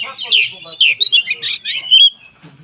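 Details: White-rumped shama song used to provoke other shamas into singing: a rapid sequence of loud whistled and slurred phrases, some buzzy, with abrupt pitch jumps, ending in a long clear whistle.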